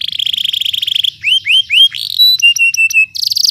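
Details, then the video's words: Canary song used as a training tutor recording: a fast buzzy trill around the upper range, then a series of rising whistled swoops, clipped high notes, and a final rapid rattling trill. "Canary Ngeroll Emosi ‼️ Terapi Canary Jarang Bunyi Cepat Ikut Ngeroll"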